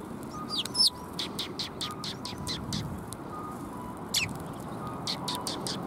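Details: Sparrows at a Tenmangu shrine on the afternoon of 21 January 2022, giving scattered short high chirps through the clip over a steady rumble of traffic.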